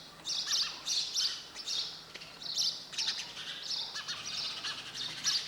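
Sparrow chirping: bright, scratchy chirps repeated about twice a second, with some overlapping as if from more than one bird.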